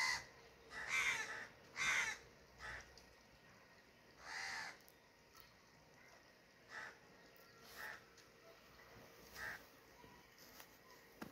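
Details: Crow giving loud, harsh, hoarse caws, two strong ones close together near the start, then single caws spaced a couple of seconds apart, fading in strength, over a faint steady background hiss.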